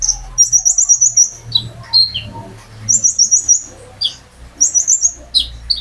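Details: A privately kept sunbird, recorded directly from the owner's own bird with natural pauses, used as a prompt to get other birds singing: high, thin twittering phrases in bursts, with short silences between runs.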